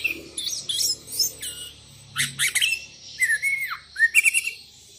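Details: Sooty-headed bulbul calling to rivals, answered by wild bulbuls: scratchy chatters mixed with clear slurred whistles that dip downward, over a low background hum.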